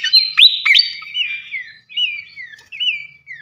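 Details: Flycatcher song for training champion cage birds: sharp upswept whistles, then a series of clear, sliding whistled phrases that dip and rise, each repeated after short pauses, with no background noise.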